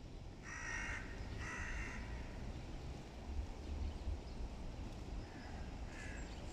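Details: Hooded crows during a serious fight between two rival crow clans: three harsh, rasping caws, two close together early and one later, over steady low rumbling background noise.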